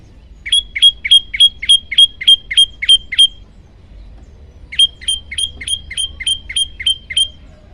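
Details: Olive-backed tailorbird singing for a bird-training master recording: two rapid runs of about ten loud, ringing, identical chip notes, roughly three per second, separated by a pause of over a second.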